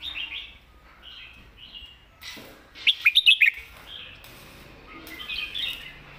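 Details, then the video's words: Competition red-whiskered bulbul in full master-song style: short bright warbles, then a quick volley of five sharp loud notes at mid-clip, followed by more rolling phrases. "ใส่เต็มทุกดอก"แกนเสียงหนา เพลงแม่บท/นกแข่ง"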